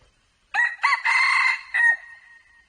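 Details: Red junglefowl crowing once: a loud, harsh, multi-part crow with a short opening note, a longer strained middle section and a trailing drawn-out end, lasting about one and a half seconds in a quiet setting.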